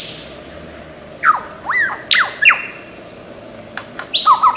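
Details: Lyrebird, an Australian forest bird famed for imitating many sounds, giving scattered sharp whistles and steep down-slurred notes with brief pauses between, ending in a quick pair of high chirps over a steady low hum.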